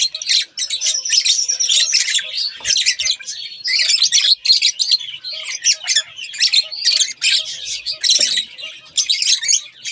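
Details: Lively budgerigar pair chattering: dense, rasping chirps and squeaky whistles in rapid bursts with brief gaps, in a quiet indoor setting.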